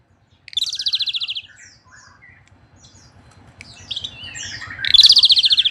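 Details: Asian pied starling in full song: a loud rasping buzzy burst, then softer varied chattering notes and short whistles, building into another harsh grating burst; faint low hum beneath.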